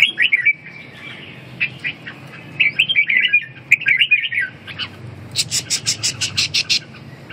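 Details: Red-whiskered bulbul with rippling whistled phrases for the first half, followed by a series of sharp, broad rustling or tapping sounds repeated about every quarter second.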